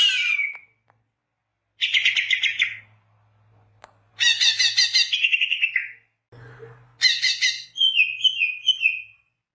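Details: Song of a greater green leafbird, played to lure birds: repeated bursts of fast, rasping chatter separated by pauses, plus a run of clear whistled notes that slur downward, over a faint low hum.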